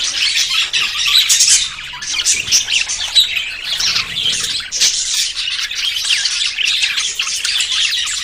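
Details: Budgerigars in courtship, about to breed, fill the air with overlapping chirps, squeaks and rasping warbles, a steady flock babble with louder surges.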